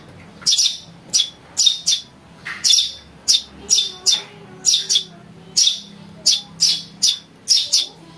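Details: Chick of a house sparrow giving lure calls for bird trapping: insistent scratchy chirps repeated roughly twice a second in a long even run, sharp and high, with little else audible.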